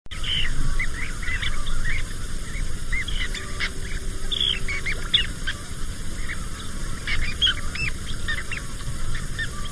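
A flock of Western sandpipers gives short, thin, high peeps and chatters that overlap constantly over a steady low rumble of wind or surf.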